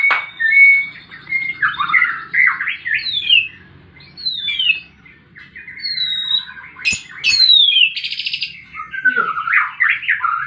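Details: Fighting white-rumped shama, used to coax quiet birds to sing: loud, clear whistled phrases that sweep up and down, broken by short pauses, with a brief harsh buzzy burst and varied twittering notes after it.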